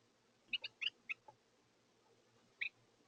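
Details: Carolina Wren at a snowy backyard feeder giving a quick run of five sharp, high chipping notes, then one more after a pause, over a faint low hum.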